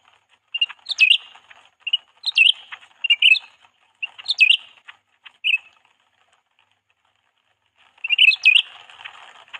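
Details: Canary kept as a lure bird to attract others of its kind, giving short bright chirped phrases of twittering, upward-flicking notes every second or so, a pause, then a final rushed twitter over faint hiss.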